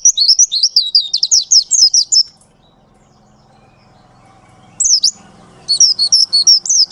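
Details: Long rolling song of a Pleci Ngalas, the Oriental white-eye: two seconds of fast, high, bouncing chirps, a pause with faint low background murmur, then the quick twittering run starts again.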